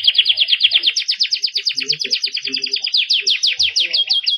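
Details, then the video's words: Tutor song of a vigorously singing canary in the ornate cengkok mewah style: a fast continuous trill of sharp, high, repeated notes that quicken, then slow into separate chirps; soft low knocks in the background. "MASTERAN BURUNG KENARI GACOR CENGKOK MEWAH JERNIH"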